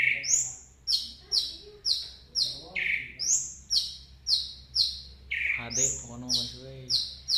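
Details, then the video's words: Orange-headed thrush singing bright, high, slurred notes about once a second, mixed with a few lower rich whistles, over a faint low hum. "burung Anis Merah Suka teler"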